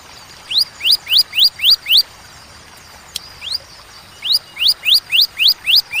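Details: Ciblek, or bar-winged prinia, singing in the paused ciwah cigun style: six upslurred high notes, a gap with a single note, then a second series of about eight rising chips.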